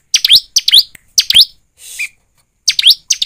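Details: Lure song of a bar-winged prinia, known locally as ciblek, meant to get birds singing: sharp high chirps with quick up-and-down slurs, delivered in fast pairs, a short buzzy note in the middle.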